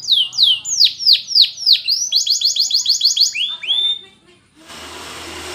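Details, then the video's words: Spanish Timbrado canary singing for training: a string of loud looping downward sweeps, about three per second, then a clipped double-toned trill, before the song gives way to hissing noise. "Timbrado Canary's Most Powerful Singing For Training"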